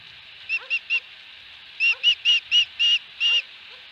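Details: Osprey at its nest with a fish at Dunrovin Ranch, 22 August 2020: loud, piercing whistled chirps, three quick notes, a pause, then six longer notes about every quarter second, over a steady background hiss.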